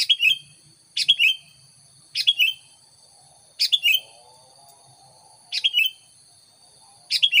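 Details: Sooty-headed bulbul song used for luring wild bulbuls: repeated bright, slurred three-note phrases roughly every second or so, with a soft low warble in the middle and steady high background tones.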